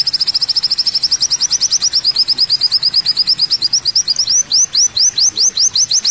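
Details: Olive-backed sunbird, known locally as kolibri wulung, pours out a rapid string of high, sharp notes, over two per second. The notes slow near the end into spaced, upward-hooked chirps.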